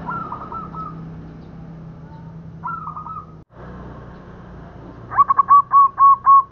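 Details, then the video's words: Local zebra dove, sound suited to trapping lures: two softer trilled coo phrases, then a loud, close run of crisp, evenly pulsed notes, with a low steady hum beneath. "Suara Perkutut Lokal Cocok Untuk Pikat"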